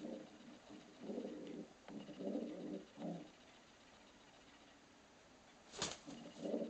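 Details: Pet pigeon kept indoors, defending his nesting area while being peeked at: several low, throaty coos in short bursts, a pause, then a sharp click and more cooing.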